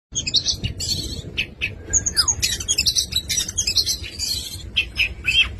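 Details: Oriental magpie-robin singing a full 'isian' song: a dense, varied stream of bright chirps, sweet whistles and quick trills, with one falling slurred note, delivered almost without pause over a low background rumble.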